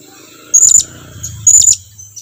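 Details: Blue-crowned hanging parrot calling for its companions to come closer, two loud, high, thin whistled notes with buzzy edges, about a second apart.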